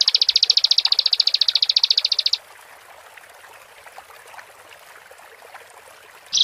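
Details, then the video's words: Bar-winged prinia song played to provoke singing: a fast, high, buzzy trill lasting about two seconds, then quiet with soft background noise and a brief final note. "Pendongkrak Emosi Ciblek | Ciblek Gacor"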